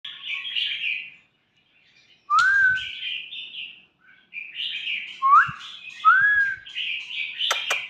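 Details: Young white-rumped shama sings varied warbled phrases, with a few clear rising-then-falling whistles and some sharp clicks between them, in a quiet room.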